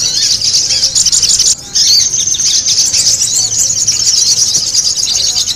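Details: Spiderhunter calls in a lively lure recording: a dense, continuous stream of very high, thin chirps and squeaky twitters overlapping one another, with a brief pause near the middle before the busy chatter resumes.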